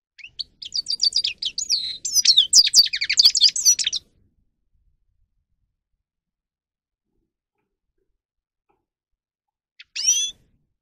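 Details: A grey-crowned goldfinch delivers a stimulating training song: about four seconds of fast, jangling twitter with buzzy trills, then long silence broken by one short, high, rising note near the end.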